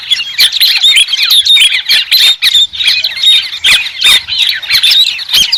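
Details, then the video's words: Noisy cackling of White-crested laughingthrush: tumbling squeaky notes overlapping in a steady stream, with scattered sharp clicks and no other sounds. "TIẾNG CHIM HÉC SOAN-CHIM ĐẦU TRẮNG"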